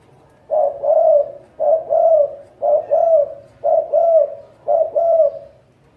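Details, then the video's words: Spotted dove giving its cooing voice, one of a top ten of the best cooing doves from 2020: low, mellow two-part coos, a short note then a longer rolling one, repeated about once a second in a steady series. "Top 10 Tiếng chim cu gáy có giọng gù hay nhất"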